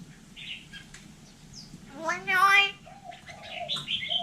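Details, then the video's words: Hill myna in Vietnam imitating human speech: a loud harmonic, voice-like phrase with a rising lower tone lasts under a second, set between short clear whistles and chirps over a low background hum. "Chim nhồng nói tiếng người"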